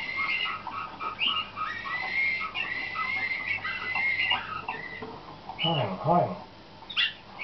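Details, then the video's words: Slavujar canary in competition training, 2013: a run of whistled phrases with level tones and quick trills. After about five seconds come a few low, harmonic-rich sounds, then sharp high chirps near the end. "CANAR SLAVUJAR"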